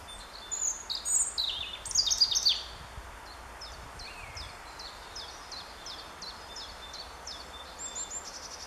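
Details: European robin singing on 10 April 2015 while pecking at an ant: a burst of high, thin, tumbling notes, then softer tinkling notes about twice a second over steady outdoor hiss.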